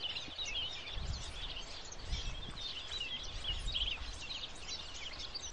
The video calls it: Bird chirping bird singing